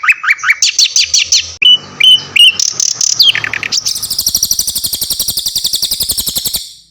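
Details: Javan white-eye and mugimaki flycatcher song used as tutor material for songbirds: varied high chirps, whistled notes and descending slurs, merging into a sustained fast buzzy trill that fades out.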